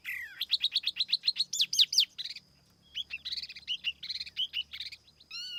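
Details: Silver-eared laughingthrush singing as a lure bird, clean recording without background noise: a fast run of bright upslurred whistled notes, a brief pause, then varied warbled phrases and a rising final note.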